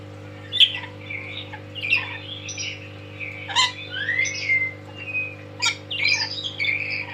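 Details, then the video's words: Tame lory, loud and dancing, giving a run of harsh squawks mixed with sliding whistled notes and short buzzy bursts, spaced about every second, over a steady low electrical hum. "Kicauan Nuri"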